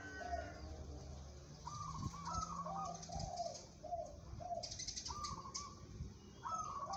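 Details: Competition-grade local zebra dove cooing. Rolling, pulsed notes alternate between a higher and a lower pitch in short phrases, with a brief wing-flutter-like rustle and faint low hum behind.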